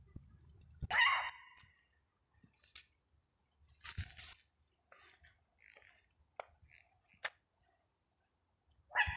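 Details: An owl hidden among the leaves of a tree on 3 June 2025 gives harsh, hissing screeches about half a second long at irregular gaps of a few seconds, with faint clicks and rustles between.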